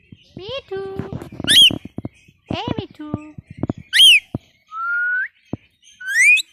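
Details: Pet parrot mixing speech-like chatter with sharp, high, rising whistles and one steady whistled tone that bends upward near the end. Short clicks and syllables fill the gaps, and a person speaks nearby.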